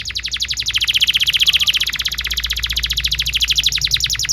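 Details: Canary singing energetically, recorded as a tutor song for young canaries, gives a fast, even trill of high chirping notes, about thirteen per second, holding steady for over four seconds, with a faint low hum underneath.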